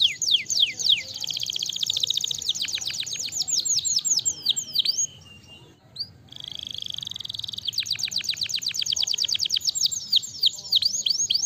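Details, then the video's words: Canary song meant to stimulate lazy canaries to sing, loud fast trills of steep downward-sweeping notes, a steady sustained whistle, a brief pause, then renewed rapid rolling trills. "molto rapidamente stimolare il suono dei canarini pigri cinguettio"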